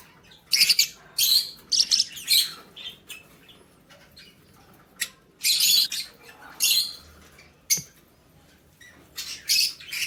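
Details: Lovebirds, recorded 20 February 2024, uttering loud harsh shrill squawks in separate bursts of under a second, spaced irregularly with quiet gaps and a sharp click midway.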